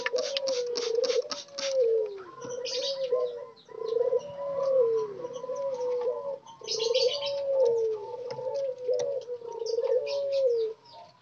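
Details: Spotted doves, wild-caught birds kept together in a group cage under daily care, cooing: low, mellow hooting phrases with a rising-then-falling arch, repeated several times, over busy high chirping from other small birds.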